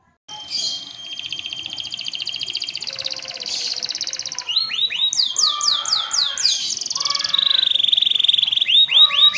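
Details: Canary singing an energetic, varied song in a lavish ornamented style: fast buzzy trills and rolls, then rapid series of sweeping whistled notes repeated several times a second, continuous and loud throughout.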